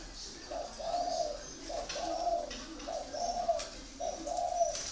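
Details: Spotted dove of the 'thổ' voice type with red plumage ('áo đỏ'), kept at a dove farm in Ba Vì, Hanoi, Vietnam: low hollow coos in two-part phrases, four phrases repeated about every 1.3 seconds, with faint high chirps behind.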